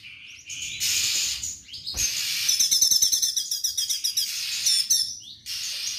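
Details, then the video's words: Straw-headed bulbul singing in full voice with a rapid 'tembakan' burst style: a run of sharp, high chirping notes repeated several times a second, between stretches of steady hissing noise. "CUCAK CUNGKOK GACOR TEMBAKAN HANDAL"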